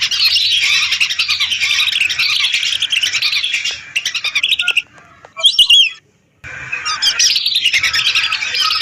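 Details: Hundreds of lesser whistling ducks heard as a lure recording; a loud chorus of overlapping high whistles fades into a short lull with scattered single notes, then a brief silence before the flock resumes.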